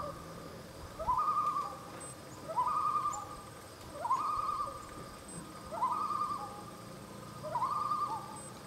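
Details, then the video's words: Common loon at Horn Pond, Maine, distant and barely visible, calling in five rising, wavering two-part phrases about every one and a half seconds over a faint low rumble and thin high hum. "Loon Call"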